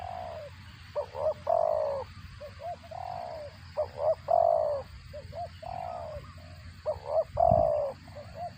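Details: Spotted dove calling as it feeds its chicks: steady run of coo phrases, clipped double notes followed by longer hoots that dip in pitch, repeated about every one to two seconds, with a brief low knock near the end.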